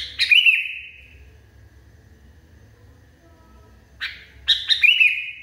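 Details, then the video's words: Sooty-headed bulbul, described as furious, gives one phrase of clipped chirps with a drawn tail. After a long silence it gives a second phrase with a rising sharp note, staccato chirps and a sustained ending. "KUTILANG NGAMUK PARAH"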